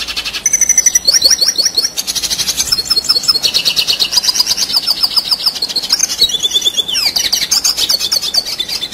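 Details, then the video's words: Continuous rolling song of a Red siskin, used as training material for competition birds: loud, high, tumbling twitters and buzzy trills, rapid chirp series and brief whistled rises, with no pauses across the phrase. "Red Siskin Gacor Ngerol Durasi Panjang"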